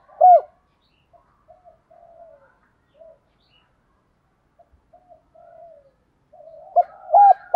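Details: Spotted dove giving urging and calling coos, meant to lure wild doves into answering: a loud hoarse coo at the start, soft scattered murmured notes through the middle, then a burst of strong repeated coos at the end.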